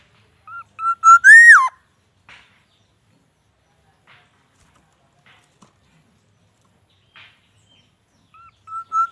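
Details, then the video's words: Captive Black-naped oriole sunning in the morning gives bursts of fluty whistles ending in a loud rising note, then pauses. Its song is filled with white-rumped shama imitations. "Kepodang gacor full isian murai batu"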